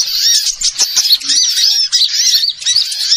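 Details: Small birds heard on a trapping lure: a steady, crowded twitter of high thin whistled notes sweeping up and down, several birds overlapping with only short breaks.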